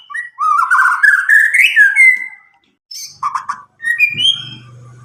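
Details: Nine-month-old Medan white-rumped shama, freshly past its spotted juvenile stage and untutored, in loud clear song meant to spur young birds to sing; a long rising whistled run, a pause, then choppy notes and a low hum.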